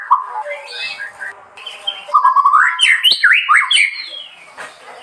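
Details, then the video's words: Varied murai song with soft warbling notes, then louder sweeping whistles climbing and falling in quick succession, mixed with a few sharp ticks. "kicauan burung, murai"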